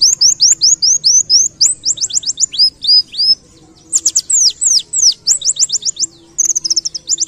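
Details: Masteran song of a pleci ngalas white-eye in the canary-like 'nembak kenarian' manner: an almost continuous stream of bright high whistled notes, many sliding downward, repeated rapidly with only one brief pause midway.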